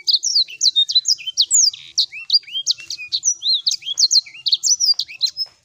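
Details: Lure of sanger song, intended to restart singing in a bird that has stopped. Rapid high-pitched twittering of sharp chirps and falling notes, interspersed with short rising whistles, continues steadily and fades at the close.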